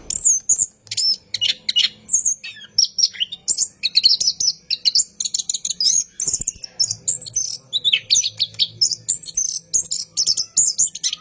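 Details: Orange-headed thrush singing after dark in an extended rolling performance meant to lure and train cage birds: quick bursts of high twittering and whistled phrases, nearly continuous over eleven seconds, light background hum.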